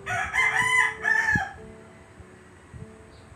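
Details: Rooster gives a strong two-part crow in the first second and a half, rich and rasping, fading into gentle piano music that continues alone.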